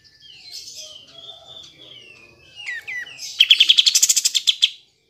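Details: Kapas tembak bulbul, sound for provoking lazy birds to sing: gentle wavering whistles and slurred notes open, then a loud rhythmic trill of about fifteen sharp pulses lasting over a second.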